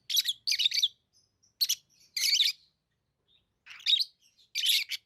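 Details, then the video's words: Sharp, grating lovebird chirps come in paired and single bursts across five seconds, a quieter pause in the middle, then two more loud rasps. "Love birds Sounds | lovebirds chirping sounds"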